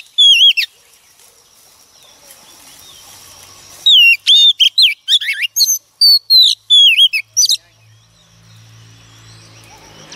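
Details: A wild-caught female Oriental magpie-robin sings to provoke males. A short whistled burst opens, a pause follows, then a rapid string of sharp, swooping high whistles. Faint low hum and background noise close the passage.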